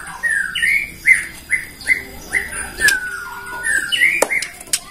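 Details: Bornean white-rumped shama giving a lure song to make other shamas sing. Softer clip of repeated slurred whistled notes about every half second, a long smooth falling whistle, then a brighter upslurred note.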